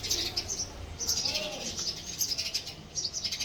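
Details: Male house sparrow chirping: bright, high chirps in quick uneven bursts, some overlapping, over a faint low background rumble.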